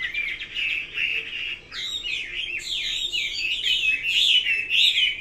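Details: Chinese hwamei pouring out a powerful song, first a held warbling whistle, then a tumbling series of high swooping, slurred phrases.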